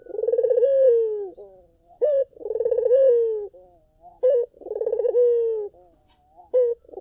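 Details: Collared dove song played to lure other doves to answer: three loud rolling coos in a row, each a pulsed trill gliding downward, with a short sharp rising note after each one.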